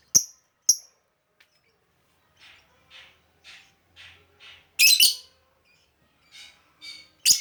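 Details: Lovebird calls played to lure other lovebirds: sharp shrill chips, a run of softer buzzy notes, then loud harsh shrieks, the calls spaced irregularly in otherwise quiet surroundings.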